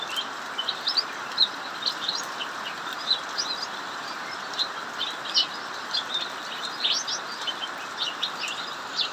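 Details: Caged cucak mini in an aviary singing nonstop during heavy rain while other birds fall silent: short high chirps and twittering notes in quick irregular bursts over a steady hiss of rain.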